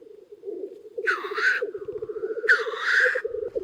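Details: Many black grouse cocks lekking near a hide in early spring: steady low bubbling, rolling cooing runs on, broken twice by loud, harsh, hissing sneezes about a second and a half apart.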